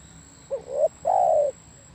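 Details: One spotted dove phrase: a brief low note, a rising coo, then a drawn-out, smooth, gently descending coo, against a quiet background with a faint constant high tone.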